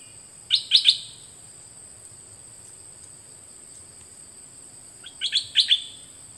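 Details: Two birds recorded in 2020 to teach young birds to sing along: a quick burst of three or four bright, warbling notes, a pause of about four seconds, then a matching burst, over a steady high hiss.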